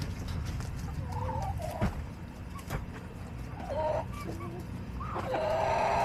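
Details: Backyard hens on July 18, 2024, giving scattered short, bending clucks and croaky notes, some paired, growing louder toward the end against a constant low hum.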